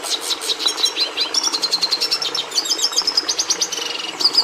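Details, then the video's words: Red siskin, Carduelis cucullata, delivering a rapid, buzzy twitter: dense strings of high chirps and trills pulsing steadily, with a sharper whistled note closing the phrase. "Canto do Tarim da Venezuela"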